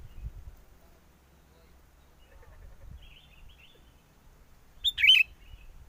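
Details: Sooty-headed bulbul lure call recorded despite strong wind: gusts and faint background chirps, then one sharp short phrase of a clear note and quick bubbly warble.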